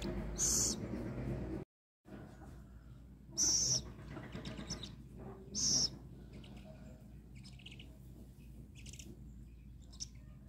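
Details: A rescued little owl awaiting feeding, to be released later, gives three harsh, hissing screeches a few seconds apart over a steady low rumble, with fainter high chirps between them.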